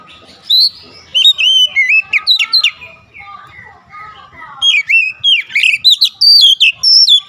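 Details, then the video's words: Oriental magpie-robin song of varied whistled notes, some rising, some falling, mixed with lower softer twitters, then a burst of loud swooping whistles in quick succession. "KICAUAN MENAIKAN EMOSI KACER"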